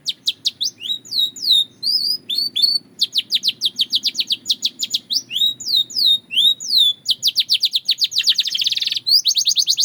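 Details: Belgian canary in full song used as a training guide: rapid trains of bright sweeping notes, clipped whistles and short rolls run almost without pause, one buzzy burst near the end, low hum in the background.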